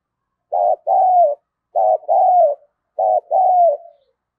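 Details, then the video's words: Decoy spotted dove calling to provoke a fight, 'hạp bổi' voice style: three matching phrases about 1.2 seconds apart, each a brief clipped coo followed by a drawn-out coo that slides downward and trails off. "Tiếng chim cu gáy thúc đấu cực đỉnh giọng hạp bổi mở là gáy"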